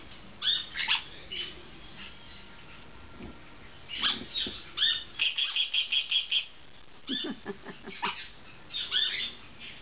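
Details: A pet golden-winged parakeet at bath time gives harsh, scratchy chirps in quick irregular bursts, with a rapid run of about ten sharp notes in the middle.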